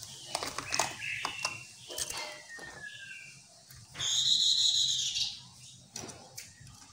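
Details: Chestnut-capped laughingthrush, a lure recording to get other laughingthrushes answering: jumbled whistles and short descending notes, then a loud sustained buzzy trill lasting about a second, over a faint low hum and scattered clicks.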